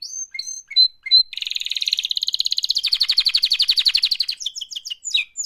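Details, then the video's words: Canary in full song, said to be a mating call: a few clipped whistles and chirps lead into a long, dense, buzzy trill of fast repeated pulses, followed by a flurry of high sweeping notes. "Active LIVE mating call Canary Singing"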